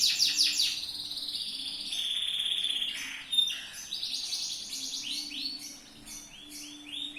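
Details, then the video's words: Yellow loper canary singing a tutor song: rolling high trills and sweeping notes, a sustained buzzy whistle, then repeated rapid rising notes, with a quiet low hum behind. "MASTERAN BURUNG KENARI/LOPER/JOS"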